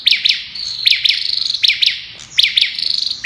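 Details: Olive-backed tailorbird giving its "Kalashnikov" burst song. Loud doubled chirps fire in quick succession, separated by short, level, rattling high trills, about four bursts in a few seconds.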